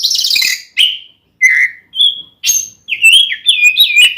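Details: Male-provoking fighting song of an oriental magpie-robin, sung in the open 'ngeplong' style. It begins with a harsh rasp, then gives separate short whistles at varied pitches and ends with a warbling, wavering whistled phrase.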